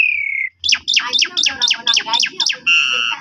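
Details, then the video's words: Black-collared starling lure song for drawing replies from other starlings: a steady falling whistle, then eight quick harsh descending notes about four per second, ending in a flat buzzy tone. "JITU Memancing Jalak Suren Lain Langsung Bongkar Isian Nyaut Suara Panjang"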